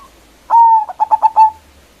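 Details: A local zebra dove with a strong voice, calling to draw rivals. A single phrase opens on a held, even note and breaks into four brisk clipped notes, cleanly recorded against near silence.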